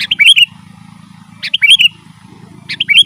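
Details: Sooty-headed bulbul in lively, rolling song for luring wild birds: three phrases, each a sharp lead note and tumbling clear whistles, repeated about every one and a quarter seconds over a low hum.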